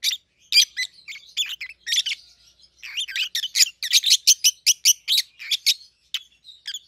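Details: Two 7-8-month-old pet peach-faced lovebirds, a red-headed green opaline and a red-faced dark green, chatter in rapid shrill chirps that quicken into a dense run of sharp notes midway, with no other sounds.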